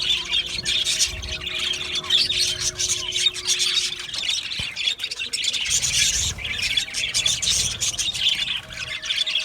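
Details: Australian budgie colony in an aviary chatters steadily, rapid squeaky chirps in overlapping bursts, a low droning tone for the first few seconds and a single sharp click midway.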